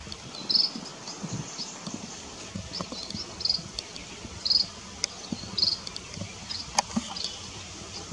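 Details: White-rumped munia recorded on 19 March 2023 in Lugu, Taiwan: brief, thin, high-pitched call notes spaced irregularly a second or more apart over a steady hiss of insects and faint outdoor background.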